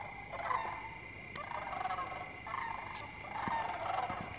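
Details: Flocks of migrating Sandhill Cranes arriving at an Indiana roost as the sun sets in October; several birds give rattling, trilled calls in overlapping bursts every second or so, with a continuous thin high tone underneath.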